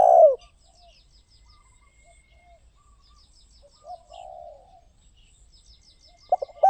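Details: Spotted dove cooing, heard as loud phrase ends at the start and close. A softer, distant, buzzy coo fills the middle, with faint high chirping from other birds.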